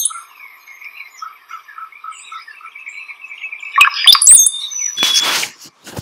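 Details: Brown-headed cowbird: a quick liquid, water-like bubbling gurgle ending in a thin, high, sliding whistle, after faint repeated chirps from another bird and followed by a brief rustle.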